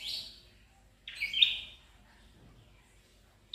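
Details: Red-headed prenjak tailorbird giving two loud buzzy, rasping bursts about a second apart, with a brief sharp note at the end and low background noise.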